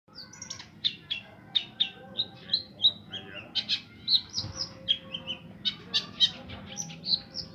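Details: Long-tailed shrike, said to imitate the voices of 40 bird species, delivering a varied run of sharp chirps, short whistles and quick trilled notes in rapid succession over a steady low background hum.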